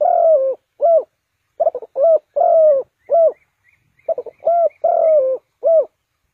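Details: Spotted dove calling as a decoy to lure wild doves into a trap: deep, hoarse cooing phrases, a longer slurred coo followed by shorter rounded notes, repeated in a steady pattern.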